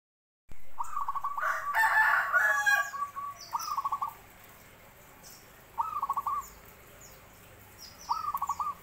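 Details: Zebra dove singing actively: short trilled cooing phrases, rapid pulsed notes ending in a slight upturn, repeated every two to three seconds, with a louder burst of mixed chattering noise early on and faint high chirps from other birds.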